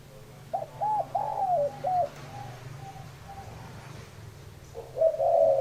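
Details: Spotted dove calling with a series of short, rounded, low coos in a quick irregular run, a pause, then a further drawn-out coo near the end, with faint background hum.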